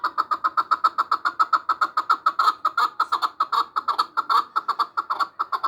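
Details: Chukar partridge from Samarkand giving a steady run of short, clucking chuck notes, about two or three per second, evenly paced throughout with little background noise.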